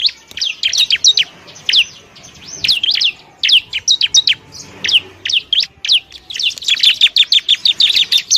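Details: Wild Bar-winged prinia calling at its nest: bright, high, squeaky chirps in quick clusters, separated by short gaps, growing denser and faster toward the end.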